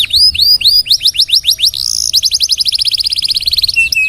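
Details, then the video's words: Canary in long, steady song, used as a master recording for training other songbirds: a few looping whistled sweeps, then rapid buzzy trills of repeated notes, ending on a steadier whistled tone. "KENARI SUPER GACOR DURASI NGEDUR PANJANG....COCOK BUAT MASTERAN SEMUA BURUNG"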